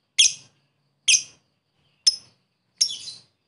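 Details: Lovebird lure call for a rival, ngekek style: four separate harsh, high chirps spaced almost a second apart, the last one slightly longer and rougher, in otherwise quiet surroundings.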